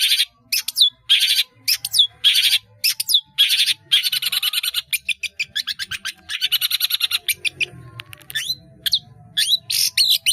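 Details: Indonesian cendet, the long-tailed shrike, kept caged and singing a busy 'gacor' song with many fill-ins (isian) as a training recording: dense rapid chattering bursts and slurred whistles, nearly nonstop for ten seconds.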